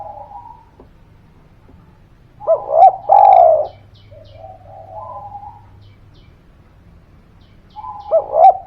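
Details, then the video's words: Spotted dove phrases used as a lure for quiet birds: a faint coo, then a loud double coo with long falling note, a softer distant coo mid-clip, and another double coo at the end. "Suara Pancingan Derkuku Gacor Buat Pancingan Burung Malas Bunyi, Langsung Nyaut"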